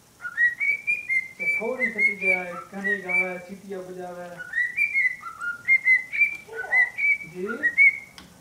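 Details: A cockatiel of uncertain sex, which the owner is trying to identify, whistles a run of clear, bright notes that slide and repeat in a lively pattern.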